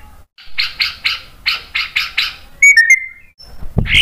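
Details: White-rumped shama song used as a lure to provoke other birds into answering: a run of seven harsh, buzzy repeated notes, then a short bright whistled phrase, quiet low background hum.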